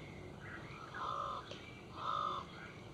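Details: Mallard (Anas platyrhynchos), quack.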